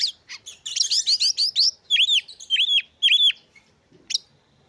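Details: Oriental magpie-robin in full song, used to provoke other magpie-robins and stir their breeding urge so they sing: a rapid run of rising whistles, then loud arched whistled notes repeated about twice a second, ending with a sharp high note.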